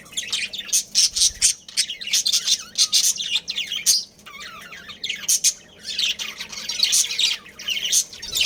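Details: Colony of breeding budgerigars: rapid, crowded chirps and rasping squawks are repeated in quick, uneven pulses, with a brief lower warble near the middle.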